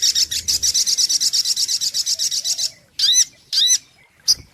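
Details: High, fast trill from a sunbird (sogok ontong) in a lure recording, stopping abruptly and followed by several loud, sharp, down-curved chip notes spaced apart.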